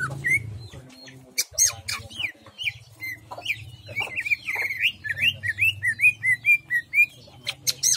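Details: Greater green leafbird with its song in a jamstrok style: scattered clicks and sharp chips, then a run of clear whistled notes, each slurred up and down, repeated roughly every half second, over a low background hum.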